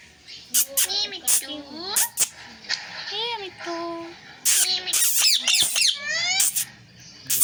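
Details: Parrot speaking words like "sita-ram" and "jay shree ram": quick, voice-like syllables with rising and falling tones, broken by sharp, clicky bursts and a brief steady note.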